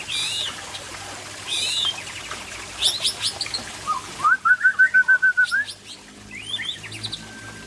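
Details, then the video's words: White-rumped shama of the Aceh type singing in the afternoon: scattered high, thin chirps and sweeping phrases, then a rapid run of about ten clear rising whistled notes, followed by a few more high twittering phrases. "Murai Aceh"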